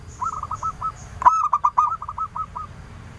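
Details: A faint distant rolling coo answered by a nearby local female zebra dove lure bird, a clear-voiced singer: one loud clipped note, then a string of quick staccato coos fading out.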